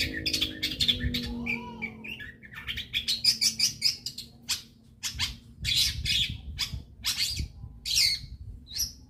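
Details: Long-tailed shrike recording used to spur other shrikes to sing, a fast jumble of rasping chatter and sharp high notes in dense bursts, with a brief low rising-falling whine early on and steady background hum.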